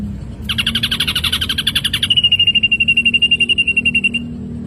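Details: Ashy drongo training recording for songbirds: a harsh buzzy rattle of fast pulses that smooths into a steady high trill, about four notes per second, fading after four seconds.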